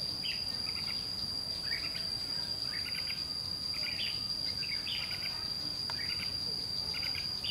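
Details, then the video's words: White-cheeked red-whiskered bulbul in a fighting bout with a lure bird at a trap. Repeated short chirpy phrases come steadily through the stretch, beneath a constant piercing insect tone. "Bẫy đấu chim chào mào má trắng ché nạt mồi"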